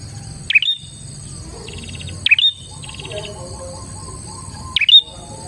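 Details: Prinia lure song to attract more prinias: three sharp, high down-up chirps about two seconds apart, with short bursts of rapid buzzy trilling between them and faint low background noise.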